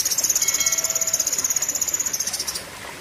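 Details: Cucak kinoi in a long, fiery 'tembakan' burst in the 'pedes panjang' style; a fast, even run of sharp, very high notes, about three per second, fading after two and a half seconds.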